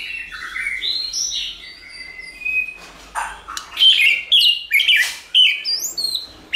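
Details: Soft flowing whistles from a white-rumped shama give way to loud, rapid whistled phrases in quick succession; recording meant to train shamas to sing.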